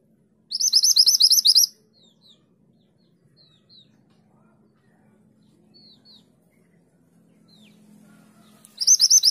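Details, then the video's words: Mantenan gunung singing vigorously in a rapid 'tulit tulit' style, used as master recording for training songbirds: a fast, high, buzzy trill of repeated notes lasting about a second, faint scattered chips between, then another trill bursts in at the end. "Mantenan gunung gacor nembak tulit tulit"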